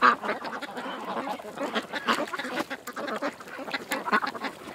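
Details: Creek-side ducks in a noisy group, uttering clipped, buzzy quacks in irregular clusters, a couple of sharper notes at the start and near the end over the general chatter.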